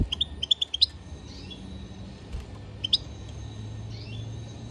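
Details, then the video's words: Goldfinch song opening with a lively run of crisp, high chirps, then a lone chirp pair and faint slurred whistles fading into a quiet background hum. "European goldfinch singing - Carduelis chardonneret song - طائر الحسون"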